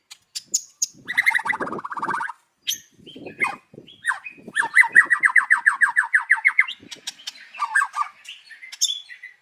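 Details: White-rumped shama singing in the morning as a lure: clicking and harsh notes with some low thumps, then a long, rapid rattle of repeated notes, followed by short varied phrases.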